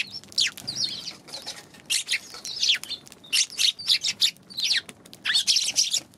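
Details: January 11 recording of Eurasian tree sparrows chattering almost continuously: quick, high, slurred chirps in uneven clusters, growing busier and louder in the second half.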